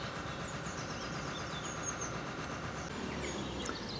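A steady outdoor rumble of passing vehicles fills the recording, with no clear animal call standing out.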